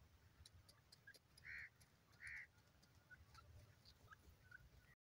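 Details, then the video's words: Grey francolin, known locally as teetar, gives two loud, harsh, evenly pitched notes less than a second apart. Faint short chirps and a low background hum follow before the sound cuts off. "teetar ki lovely awaz lovely voice"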